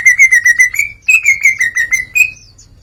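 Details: Greater green leafbird singing openly through its learned song material, a quick string of clear, bright whistled notes repeated about five times a second, in two bursts with a short pause between.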